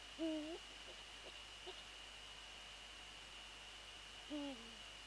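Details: Prey transfer near a Eurasian eagle-owl nest at night, 13 January 2014: a short rising-and-dipping tonal call, a few soft ticks, then a second call sliding downward about four seconds later.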